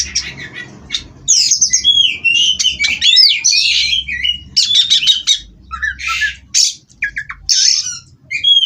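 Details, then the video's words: A captive-bred Oriental magpie-robin sings an extended, busy phrase of slurred whistles, buzzy rattles and sharp clicks, growing louder after a soft start and continuing in irregular bursts. "Terapi Burung Kacer Agar Stabil di Pedok"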